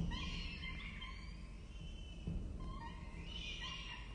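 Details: Peregrine falcon chicks begging during feeding at their nest on a university campus in Orange, Australia, October 2023; wavering, scratchy wailing calls come in two bursts over a constant low background rumble.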